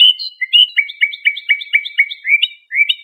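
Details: Iranian trained Lor-style European goldfinch training song for tutoring juvenile songbirds: bright twittering notes in a quick series, about four per second, with rising and falling chirps and clean, quiet background.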